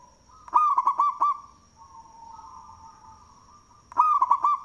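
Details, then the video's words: Loud local zebra dove cooing as a lure bird: a phrase of rapid clipped notes and rolling coos, a pause filled by a soft wavering tone, then the phrase begins again; thin high whine throughout. "Perkutut Lokal suara BESAR Manggung"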